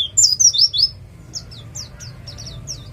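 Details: East Javan white-eye song used as a lure to make other birds sing: a quick run of bright, high whistled slurs followed by softer, spaced chirps over a faint low hum.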